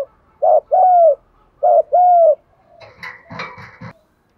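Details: Decoy spotted dove for bird trapping, 'giọng thổ pha' voice: two paired coos, a short bent note then a long smooth hoot, followed by scraping and rattling handling noises.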